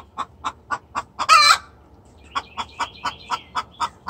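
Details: Hen's distress call to the rooster, regular clucks about every quarter second with one loud harsh squawk early on and soft high chirping afterward.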